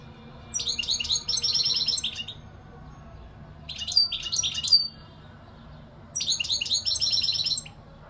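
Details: Goldfinch song: three bursts of rapid, high, liquid twittering, each one to one and a half seconds, the middle one with sharp rising whistled notes, separated by quiet pauses.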